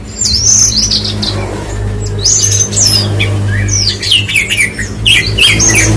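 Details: Horsfield's bush lark delivers rapid, varied song of thin whistles, twittering trills and scratchy squeaks in close bursts, with a steady low hum in the background.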